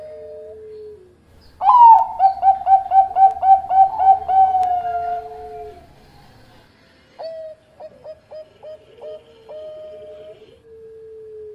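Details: Zebra dove, Bangkok type, singing on a training recording: a loud run of rapid, pulsing harmonic coos, then quieter clipped staccato notes and a long falling coo.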